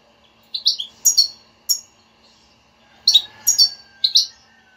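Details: European goldfinch giving a motivating بتبتة song aimed at a silent pet goldfinch. Sharp high chirps come in two rapid clusters separated by a quiet gap, with a faint hum in the background.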